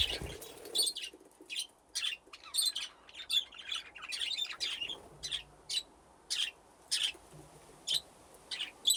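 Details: Budgerigars in an aviary with nesting boxes; short separate high chirps come roughly twice a second over a quiet background, after a brief low noise at the start.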